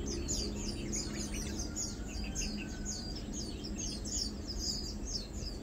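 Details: Lowland white-eyes feeding on 2 August 2022 utter repeated high, sharp chip notes and twitters, several birds overlapping in steady rhythm, with a faint low hum behind.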